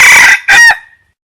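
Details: Tail of a wild red junglefowl crow: a strained, hoarse note ends, then a short harsh syllable fades into a thin trailing whistle, followed by silence.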